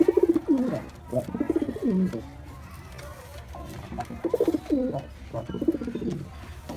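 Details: White pigeon during courtship and mating: low, pulsing coos with a rolling, bubbling quality, sliding down in pitch, given in bursts of about a second, with pauses between phrases; faint background hum.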